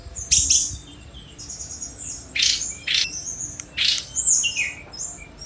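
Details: Sunda robin delivering loud, harsh high bursts separated by short gaps, mixed with thin whistles and a few slurred notes near the end.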